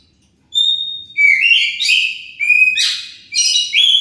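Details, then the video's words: Oriental magpie-robin song used as a lure to draw replies from other magpie-robins: a bright, steady whistle, then rising and falling slurred notes broken by scratchy bursts, in four loud phrases after a short silence. "Pancingan Kacer pasti nyaut"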